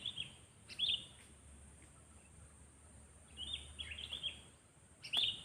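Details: Sooty-headed bulbul being trained as a decoy for bird luring, to build a bold temperament that answers rival birds loudly and clearly; short bubbly phrases of sharp, slurred notes come in bursts separated by quiet gaps.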